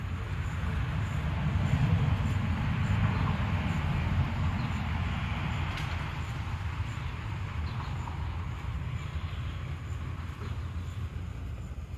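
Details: A steady low rumble of a passing train or heavy vehicle fills the recording, with no animal calls heard.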